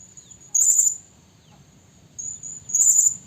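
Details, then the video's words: A female Blue-crowned hanging parrot calling a male, played as a trapping lure: two loud, sharp, very high bursts about two seconds apart over a thin high tone. "suara burung serindit terlalu gacor || suara serindit pikat"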